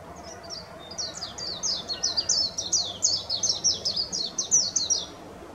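A Japanese white-eye gives a fast, high-pitched twittering run of thin slurred notes, about three a second, over faint background hiss.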